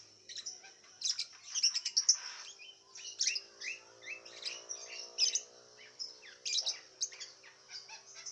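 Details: Contest lovebird from Singkawang, West Kalimantan, kept caged: busy bursts of shrill, chattering chirps and trills, each burst about a second long, over a steady high whine and a faint low humming tone.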